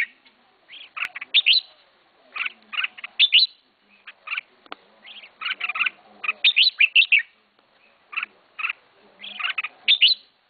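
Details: Red-whiskered bulbul kept as a pet, the keeper's first bird, singing short bright warbled phrases of quick rising and falling notes, grouped in bursts with brief pauses across the clip; faint low hum beneath.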